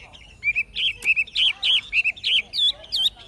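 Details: Old wild-caught Chinese hwamei in a cage gives a lively forest-voice phrase: quick slurred whistles, each a rising-and-falling loop, repeated about three times a second with a faint background hum.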